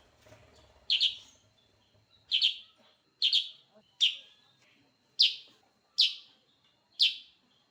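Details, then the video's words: Sooty-headed bulbul calling energetically: seven crisp, bright, slurred chirps at irregular intervals of about a second, preceded by soft low rumbling noise at the start. "Suara Burung Kutilag Sutra Super gacor"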